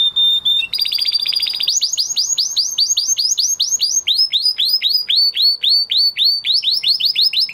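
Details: Male canary singing after his moulting period: a short steady whistle and fast trill, then a long tour of bright, down-sweeping whistled notes repeated about four times a second, with a brief shift in pitch midway.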